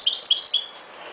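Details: European goldfinch singing in the ghoroub style, a quick run of bright twittering notes lasting under a second, then fading into quiet background hiss.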